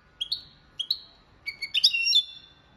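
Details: European goldfinch singing copia malaga training song: two upslurred chip notes, then a bright tinkling burst of twittering with a sustained trailing note.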